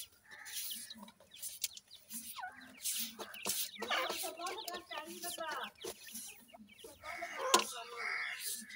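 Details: Francolin (teetar) chicks at feeding time, with rapid runs of rising, slightly rasping chirps and soft clucking notes that overlap in a steady stream, plus occasional clicks.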